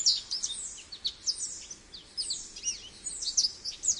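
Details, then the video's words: American goldfinch singing a high, fast jumble of thin twitters and short slurred whistles, phrases rising and falling, quick notes and sweeping slides, steady over light background hiss. "American Goldfinch Call | American Goldfinch Singing | Goldfinch Sounds"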